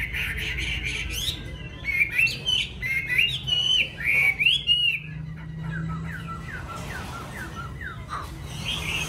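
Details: Caged yellow-billed Chinese hwamei at home delivers bursts of loud, quick whistled and warbling phrases in the middle, softer notes before and after, over steady low hum.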